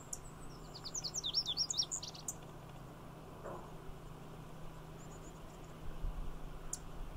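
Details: Male Lazuli bunting (Passerina amoena) singing while perched in poison hemlock at Magnuson Park, with a female nearby: a quick, high, squeaky jumble of paired notes lasting about 1.5 seconds, then faint high notes over a low rumble; Savannah sparrow chipping nearby.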